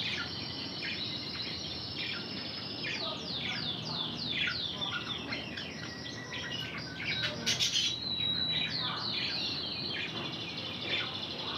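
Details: Intense red canary breeding bird trained in Spanish Timbrado song, delivering a series of quick descending whistled slurs and rolling notes over a steady high tone, with constant background hiss.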